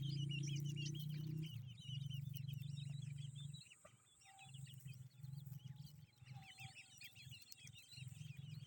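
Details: Partridge family of grey francolin young: many rapid, high, wavering cheeps crowd together almost continuously, with a deep droning hum underneath that stops briefly mid-clip before returning, plus a faint thin steady tone.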